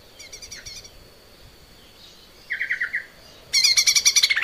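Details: Lesser green leafbird singing constantly on a training recording for cage birds: a faint buzzy trill, then a rapid chattering burst near 2.5 seconds and a loud, dense, high metallic trill to the end.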